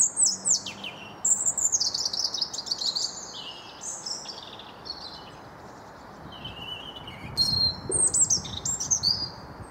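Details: Wild blue tit in a garden in the Wyre Forest, England: a series of high, thin descending phrases and trills, some dropping steeply, separated by brief pauses, against a constant low hiss.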